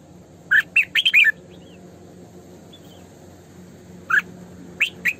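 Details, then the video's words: Female red-whiskered bulbul used as a decoy to train bulbuls to sing in the morning and for trapping, giving short bright chirping phrases in two bursts, a cluster near the start and a few notes after a pause, over a faint low hum. "Tiếng Chim Chào Mào Mồi Hót Sổ Bọng Căng"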